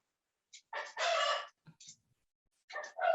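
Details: Domestic chicken apparently laying an egg, giving loud harsh cackling calls: a short note, then a long raspy squawk of about half a second, a few faint notes, and two more squawks at the end, in a quiet setting.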